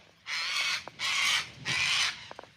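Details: Cockatoos in an Australian garden after rain give three long, harsh, grating "scratching" screeches, each about half a second, with short ticking sounds between them.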